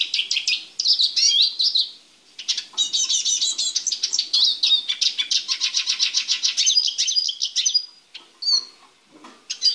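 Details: Caged male Eurasian siskin, held in a small cage to prepare for mating before joining his female, sings a long, fast, high twittering song of rapid chattering trills with a brief pause, then scattered chirps at the end.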